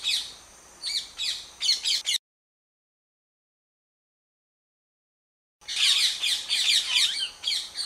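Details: Wild Indian rose-ringed parakeets in India at a nest attacked by a monitor lizard. Harsh, shrill screeches come in rapid overlapping bursts for about two seconds, then a silent gap, then more loud, grating screeching.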